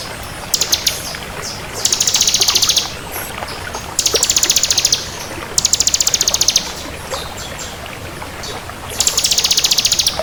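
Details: Crystal bar-winged prinia singing actively: a run of high, rapid, metallic rattling trills, each about a second long, repeated every two seconds or so, over steady background hiss.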